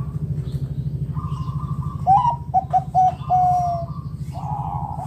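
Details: Local Indonesian zebra dove cooing loudly to lure other doves into calling: a burst of short clipped coos, then a longer level note, over a steady low mechanical hum with a faint second dove in the background.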